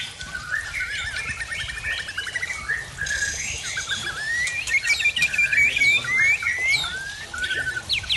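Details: Original Aceh white-rumped shama of the Tangse line, singing aggressively just after its moult; a rich, varied song of rapid trills, rising and falling whistles and scratchy notes, getting louder and fuller toward the end.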